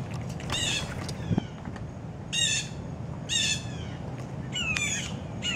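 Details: A noisy group of about 14 adult and young Blue Jays in an oak beside a feeder at breakfast, coming for peanuts, gives harsh, raspy, descending screams at irregular intervals over a rumbling outdoor background.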